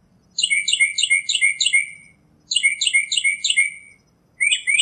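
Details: Northern mockingbird delivering fast trilled phrases, each a rapid string of bright, descending chips, given in two long bursts separated by a short pause, a third starting at the end; faint low hum underneath.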